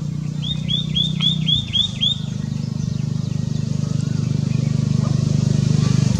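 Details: A White-naped tit in India, calling continuously, gives a quick run of about eight clear, high whistled notes in under two seconds, over a constant low rumble that continues after it stops.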